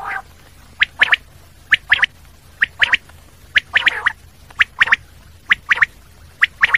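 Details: Common quail calling: sharp, clipped three-note phrases, each note a quick high click-like burst, repeated about once a second in a steady series over a low background hum.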